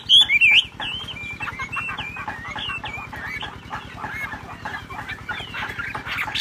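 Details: Wambi song in ngebrem style: a bright looping whistle opens, then a busy run of warbled, wavering whistled notes partly blurred by a constant rapid low ticking and general background noise.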